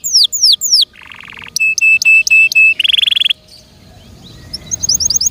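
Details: Pet canary song. A few downslurred whistles are followed by a low buzzy roll and a string of flat, steady piping notes with a rattling trill. Near-silence follows, with faint quick notes at the end.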